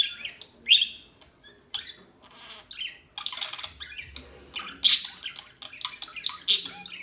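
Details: Small birds give harsh, squawky chirps and quick high twitters in uneven bursts, with a couple of especially piercing calls toward the end.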